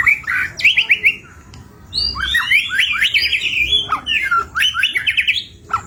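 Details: White-rumped shama in full, varied song, used as a lure to get other birds singing: loud rapid whistled phrases and trills sweeping up and down, bursts separated by brief pauses, faint low background hum.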